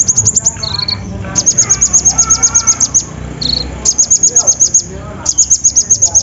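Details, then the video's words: Olive-backed sunbird lure song to prompt quiet birds into song. Rapid bursts of very high, sharp ticking notes, about four per second, alternate with short lower whistled phrases, with faint chirping behind. "PANCINGAN KONIN SUSAH BUNYI!! SEKALI DENGAR LANGSUNG DUUUAAAAARRR"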